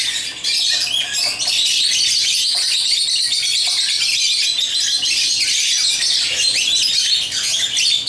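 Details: Steady, busy squawking and chirping from pet African lovebirds at play with toys, a continuous high-pitched babble lasting eight seconds.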